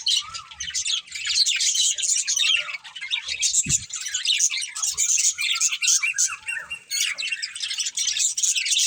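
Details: Budgerigars kept as pets in a family group give a long run of high scratchy chirps and warbles, with some slurred rising-falling whistles underneath and a soft knock near the middle.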